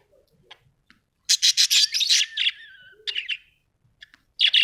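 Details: Australian budgies giving a rapid run of harsh chirps that slides into a drawn-out whistled note falling and wavering, followed by more scratchy chatter bursts.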